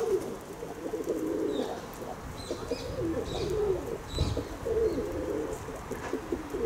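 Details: Domestic pigeons cooing almost continuously, low rolling phrases overlapping one another, with occasional short higher chirps and a thump near the four-second mark.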